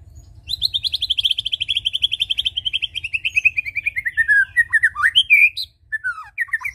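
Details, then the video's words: Lure song of the white-rumped shama for prompting birds to keep singing: a long, rapid trill that slides slowly lower for about four seconds, then breaks into several short, varied whistled notes. "Pancing bunyi burung Murai batu suka ngetem"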